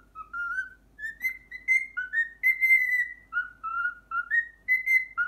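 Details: Pet cockatiel whistling the Pythagora Switch opening theme it has learned, loud and clear, with notes sliding between two pitch levels in a lilting, evenly paced melody.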